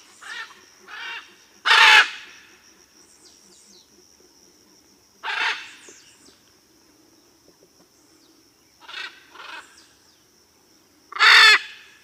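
Blue-and-yellow macaw giving harsh, raspy squawks, three loud ones spaced several seconds apart with softer, shorter calls between, over a faint steady high-pitched hum.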